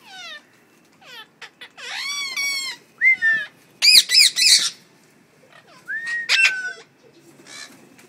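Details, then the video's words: Pet parrots in a home give a busy run of harsh squawks, descending harmonic-rich calls and slurred whistles, with several loud clustered bursts around the middle and a rising whistle near the end. "Talking parrots"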